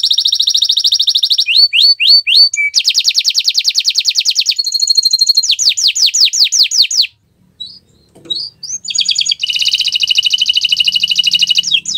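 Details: Varied canary song on a Friday morning: rapid trills alternating with sweeping whistled phrases and buzzy passages, a brief pause, then a long fast trill resumes.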